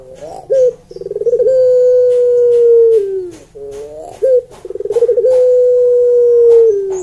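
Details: Two complete sweet coos from a puter pelung, the Barbary dove. Each has a short rising note, a quick rolling trill and a long smooth note held steady before it sinks in pitch.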